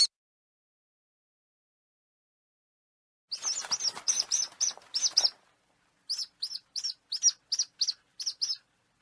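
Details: Calls of a falcon meant to frighten pigeons and other birds away: a quick burst of harsh, high notes, a brief gap, then a more evenly spaced run of sharp, chattering calls.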